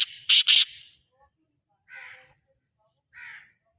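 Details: Two loud, harsh, buzzy notes from a black francolin (kala teetar) open the recording. Two softer, raspy calls follow at wide intervals in otherwise quiet surroundings.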